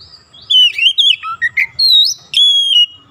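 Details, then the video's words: Caged magpie robin singing loudly, a lively varied run of clear whistled slurs, rising and falling notes and buzzy bits, ending on a long steady whistle. "Kacer langsung on buka paruh gacor"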